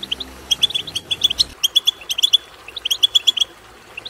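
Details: European goldfinch twittering, used to stimulate a goldfinch to sing; quick runs of clear, liquid, high chirps in tight groups of three to five notes, with brief gaps between phrases.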